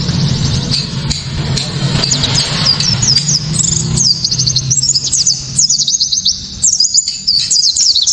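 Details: Loud, crisp 'tembakan' song from a white-eye, used to goad other white-eyes into singing: starts softer and rises into bright, rapid high chirping runs with short gaps, over low rumbling hum.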